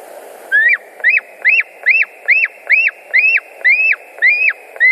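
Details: White-tailed eagles at a nest in Latvia, 10 August 2019, mid-afternoon: a rapid series of about eleven sharp yelping notes, each rising then dropping, roughly two per second, over a steady low hum.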